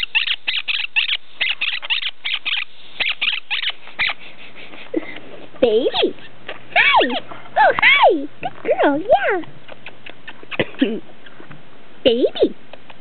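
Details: Pet quaker parrot, a female, playing beneath bed covers: rapid scratchy chattering bursts for several seconds, then a woman's voice talking over it with further scattered chirps.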